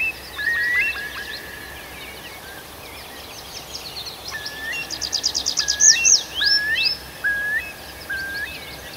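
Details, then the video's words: Several birds singing in a forest at night in Arkhangelsk Oblast in June: short rising whistles repeated at intervals, mixed with a quick high trill and sharp high slurred notes from another singer. "Пение птиц в ночном лесу"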